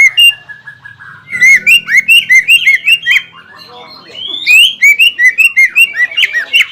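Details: Greater green leafbird in energetic song to rouse a rival that has just moulted; a few soft opening notes, then a loud rapid series of rising and falling whistled slurs with a brief lull midway.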